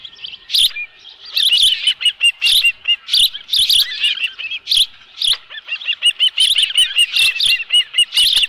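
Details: Osprey at a ranch nest with a live fish, recorded on 11 July 2018 around midday: a loud series of sharp, high chirping whistles repeated in quick bursts, some slurred and rising, continuing steadily over faint background noise.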